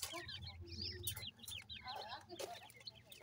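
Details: Several francolin chicks at feeding time cheep continuously. The notes are short, high and wavering, closely packed and overlapping, with soft low rumbling and scattered clicks beneath.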